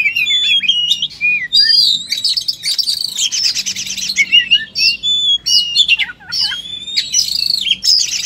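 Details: Kacer (oriental magpie-robin) singing in full fighting mode with abundant material: quick twisting whistles, dense buzzy trills and sharp downward chips, delivered almost nonstop across the whole stretch.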